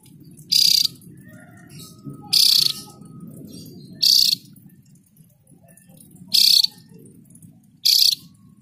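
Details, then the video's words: Javan grey-throated white-eye singing at length: five short, high, rapid twittered bursts spaced one to two seconds apart, over a steady low rumbling background noise. "Opior Jawa Gacor Ngerol Panjang"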